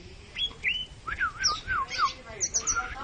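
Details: Oriental magpie-robin (kacer) singing: varied whistled phrases, slurred up-and-down notes and short high chirps in quick succession, over a low background hum.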